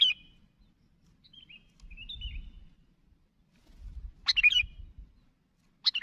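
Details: Lively sooty-headed bulbul calling to companions. Brief warbled notes, then a dense burst of sharp chirps and another at the end. A soft low rumble underneath.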